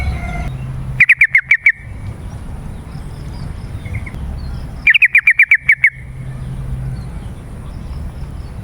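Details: Lure recording of a yellow-vented bulbul for drawing in wild birds and prompting caged ones to answer: two rapid runs of about eight clipped, bubbly notes, each run lasting under a second, several seconds apart, with steady low rumble beneath.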